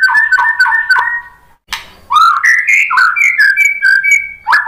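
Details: White-rumped shama singing to lure other shamas into song: steady repeated two-toned whistles, a short silence, then a sharp burst followed by sweet rising and level whistled notes with a ticking texture.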